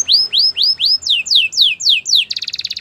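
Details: Belgian canary singing for training canaries: clear whistled notes sweeping up then down, about four per second, ending in a quick pulsing rattle.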